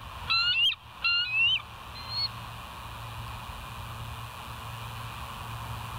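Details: Bald eagles on a live cam, 24 July 2023: two quick bursts of high, piping, upward-sliding whistles and one fainter note, then a steady hiss for the rest.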